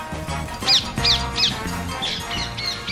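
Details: Wild rose-ringed parakeets in suburban London give three shrill, sharp screeches about a third of a second apart, then fainter ones, over steady background music.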